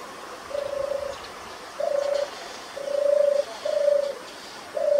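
European turtle dove giving its low, soft purring song: five short rolling phrases on one pitch, about one a second, over faint background hiss.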